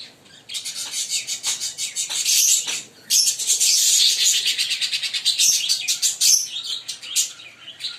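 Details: Green pair of Fischer's lovebirds in loud, rapid, shrill chatter: long runs of fast-repeated, high, buzzy chirps, nearly unbroken after the third second, then fading to separate chirps at the end.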